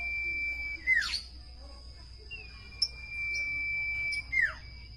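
Common iora giving long, drawn-out pure whistles on one steady pitch, each ending in a quick downward slur. Two such phrases are heard over a faint low hum.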